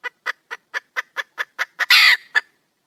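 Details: Female wild red junglefowl seeking a male: a quickening series of short clucks leading into a loud, harsh squawk, followed by a single final cluck.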